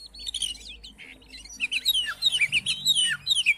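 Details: Oriental magpie-robin song, used to provoke a silent, reluctant magpie-robin into singing: quick, varied, high whistled notes and chirps, some sliding down, with a busier burst of phrases in the second half and faint low hum.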